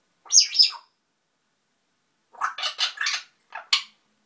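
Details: Grey parrot, a household pet, prattling to itself: a high two-part squeal, a pause, then a rapid burst of harsh, noisy chatter syllables ending in a sharp note.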